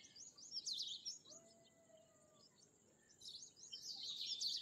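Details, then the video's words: Bimaculated lark (Eastern Calandra Lark) delivering rapid, high, scratchy twittering phrases, one near the start and a longer run toward the end, over a thin constant high-pitched tone. "Bimaculated Lark (Melanocorypha bimaculata) | Calandra Lark | Eastern Calandra Lark"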